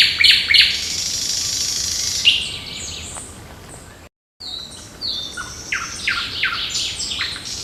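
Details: Dense dawn-to-morning bird chorus on 8 June in park and forest: a loud jumble of high twitters and trills, easing off, then resuming with varied chirped phrases.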